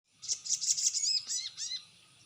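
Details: Crested jay lure call, played to provoke other crested jays into answering: a quick burst of high, sharp chirps, then a few short whistled notes that rise and fall, all fading out near the end.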